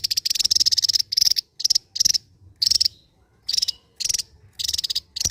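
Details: Song of a Javan white-eye, an endemic bird of Java known as mungil: long runs of rapid, very high buzzing trills broken by short pauses, delivered loudly and without letup.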